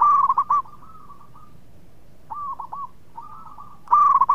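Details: Eager local zebra dove with a sweet voice, kept to stir other birds to sing: loud rolling coos open and close the clip, with quieter trilled coo series in between.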